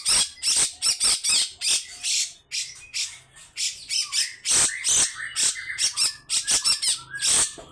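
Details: Grey-cheeked bulbul singing long harsh rasping phrases that stir other birds to sing. Dense runs of scratchy, explosive notes come almost without pause, with brief whistled slurs mixed in.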